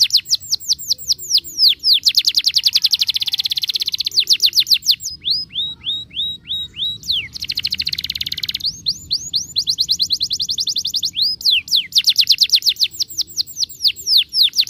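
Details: Canary song played to make canaries sing fast and roll: long continuous sequence of rapid trills alternating with sweeping whistled notes and dense buzzy passages, loud throughout.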